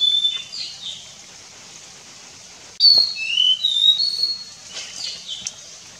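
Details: Nilgiri sholakili singing at Kudremukh, at the northern edge of its range: high, clear whistled phrases with slurred rising and falling notes, a short pause, then a longer run of sweet whistles.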